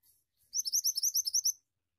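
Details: Pied Triller (mantenan) song, gacor ngeroll style: a brisk run of around nine bright rising whistles in one second, preceded by a soft chirp.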